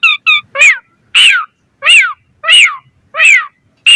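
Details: Asian pied starling sounds used as a lure for other starlings: two short paired notes, then harsh, rising-and-falling squawky calls repeated roughly every half second.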